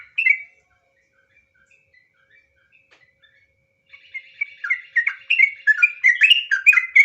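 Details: Sooty-headed bulbul song of the 'nggaruda ngropel' type: one loud warbled note, about three seconds of near silence with soft chirps, then a dense burst of quick, bubbly phrases growing louder.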